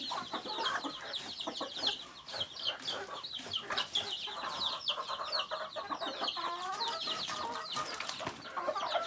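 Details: Flock of native chickens, rooster and hen among them: constant overlapping high peeping notes, each dropping in pitch, layered over softer throaty clucks and a brief rising-falling trill near the end.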